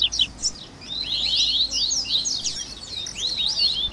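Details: Double-collared seedeater song, a warm-up recording meant to stimulate captive birds to sing; rapid, dense, high-pitched chirps and twittering trills, overlapping phrases running continuously over a faint low hum.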